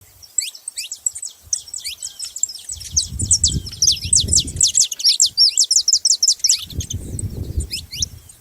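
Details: Several saffron finches calling together, a dense chorus of high, sharp downslurred chirps and short trills overlapping almost continuously, with bursts of low rumbling noise in the background.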